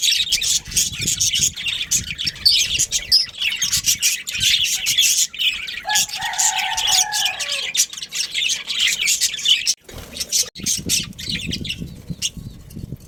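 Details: Pet budgerigars, a breeding pair with their family, keep up a dense stream of high twittering chirps and scratchy warbles. A brief lower steady tone sounds midway, followed by a short lull and renewed chatter.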